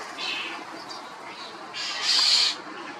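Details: Loud calls of the common starling, also called European starling: a few soft rasping notes followed by two louder, drawn-out hissing screeches, the last one the strongest.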